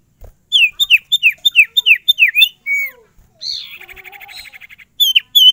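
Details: Varied sirtu song: rapid repeated downslurred whistles, then a falling note and a harsh buzzy rattle with a lower tone beneath it. Bright whistled notes resume at the end.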